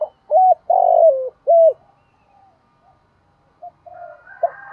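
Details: Spotted dove used as a decoy bird in the morning to provoke and lure wild doves: a short note, a long rolling coo sliding down, then a short clipped note. A fainter higher wavering sound and another soft coo follow.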